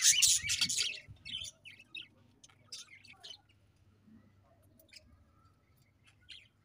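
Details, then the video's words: Loud burst of budgie chatter opens the recording, then isolated short chirps and brief warbles grow fainter and more scattered over a low steady hum. "𝑩𝒖𝒅𝒈𝒊𝒆 𝑩𝒊𝒓𝒅𝒔 𝑪𝒉𝒊𝒓𝒑𝒊𝒏𝒈 𝑺𝒐𝒖𝒏𝒅𝒔"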